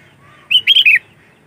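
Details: Sooty-headed bulbul sound for attracting others of its kind: one short burst of three rapid, bubbly whistled notes, ending on a falling note, against near silence.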